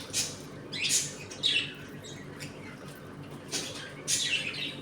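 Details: Home-colony budgerigars at feeding and play time; scattered scratchy chirps and harsh squawks, some sweeping upward, spaced irregularly about once a second, with low background hum.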